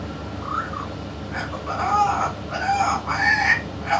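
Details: Yellow-naped amazon parrot talking alongside a parrot expert: a string of hoarse, speech-like harmonic syllables, a brief rising note early on, then denser raspy bursts in the second half, with a steady low hum behind.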